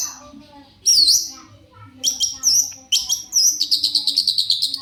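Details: Piercing high whistles and sweeping notes from a long-tailed shrike used to make rival shrikes reply, finishing with a fast buzzy trill.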